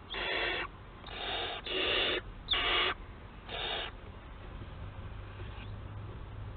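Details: Harsh rasping hisses from barn owls of a webcam-watched family at Théding, France, 4 July 2022: five broadband bursts in the first four seconds, then quiet with only a low background hum.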